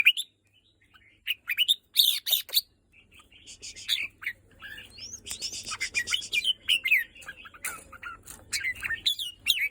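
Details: Red-whiskered bulbul singing after several pent-up days: bursts of short, bright whistled notes and slurred warbles, mixed with sharp clicks and harsh buzzy rattles, loudest near the start and returning in rapid phrases through the end.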